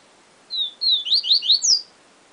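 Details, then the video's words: Yellow-bellied seedeater, the papa-capim, singing a Siu Siu Professor phrase: two steady high whistles leading into quick upward-slurred notes and a final bright sweep, with a single soft click near its end. "Papa Capim Siu Siu Professor"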